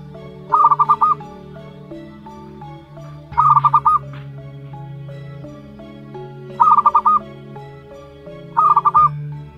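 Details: Zebra dove chick, one month old, local bird, repeats short rattled phrases of five quick cooing pulses four times at irregular gaps of two to three seconds; a low steady drone continues underneath.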